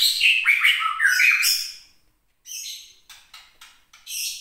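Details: Captive white-rumped shama of Mount Leuser origin in Aceh, agitated after being teased: loud harsh squawking warble with jumbled notes, a pause, then short rasping bursts.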